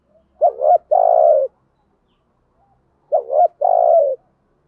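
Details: Spotted dove kept to lure wild doves, cooing twice about 2.7 seconds apart; each coo a quick wavering lead-in then a steady low drawn-out note, no other sounds.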